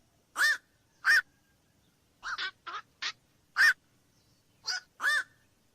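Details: Deep, hoarse single croaks from black-crowned night herons at uneven intervals, mixed with a few quicker, thinner clipped notes, in a quiet setting.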